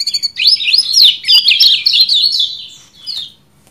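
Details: Lemon-bellied white-eye in 'ciak jos' style: a rapid, loud chattering string of high, wavering chirps that tumbles along for over two seconds, then fades into a few softer notes.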